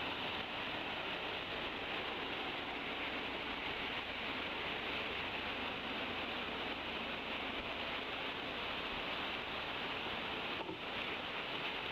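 Steady broadband hiss like wind or rushing water fills the whole stretch, with no clear animal calls standing out.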